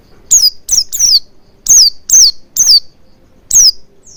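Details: Oriental white-eye lure sound to prompt singing: rapid high, thin downslurred notes in clustered bursts of two and three, then a pause and a final note.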